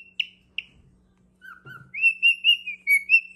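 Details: Male cockatiel singing to his mate, who does not respond: a few sharp chirps and a low whistled pair, then a run of rising and falling whistled notes warbling steadily toward the end.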